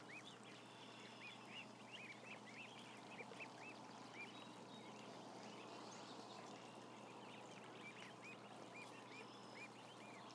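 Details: Ducklings, around a thousand of them, peeping continuously: rows of brief rising-and-falling high notes, several every second from many birds at once, with a constant low hum underneath.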